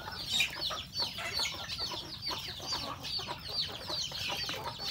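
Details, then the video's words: Rural home flock of chickens, roosters and a hen, feeding on breakfast; many high, thin, downward-sliding peeps and quick clucks overlap in a busy, continuous chatter. "Beautiful sound of chicken eating breakfast, Roosters and Cutest hen"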